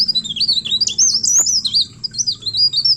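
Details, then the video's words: Leaf warbler song intended to coax other birds to sing: thin, high, undulating whistled phrases in a quick flowing stream, with one short click, against a soft low background hum. "Cikrak DAUN Receh Pancing Bunyi Burung Lain"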